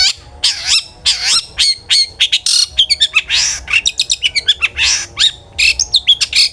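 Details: Long-tailed shrike singing actively, used as a lure to make other shrikes sing: a fast, varied medley of high sweet whistles, sharp chirps, trills and scratchy buzzes, delivered in quick bursts with short gaps.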